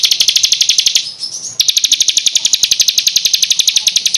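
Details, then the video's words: Varied contest-training songbird material of rapid 'tembakan' filler phrases: an even, very fast high chatter of about eight notes a second, broken briefly by a thin rising whistle before the chatter resumes. "BURUNG FULL ISIAN TEMBAKAN"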